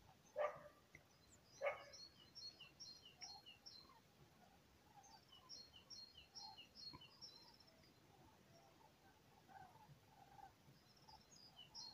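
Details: Common cranes migrating north over southwest France for the summer give two loud, rolling trumpeted calls near the start that then fade, while faint high chirps from small birds continue throughout.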